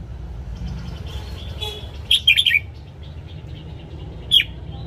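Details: Red-whiskered bulbul morning song for training caged birds: one quick cluster of clear, bouncing whistled notes, then a single short note near the end, against a constant low background hum.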